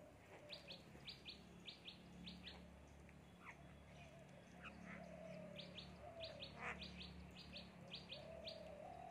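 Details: Myna calling: sharp, high chirps given mostly in quick pairs, bursts repeating at a fast pace, with lower tonal notes and a steady low hum in the background.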